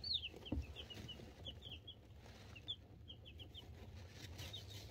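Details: Two-week-old mixed-breed chicks in a brooder, phone recording: soft high peeps trickle out steadily, several birds overlapping, over an ever-present low mechanical hum.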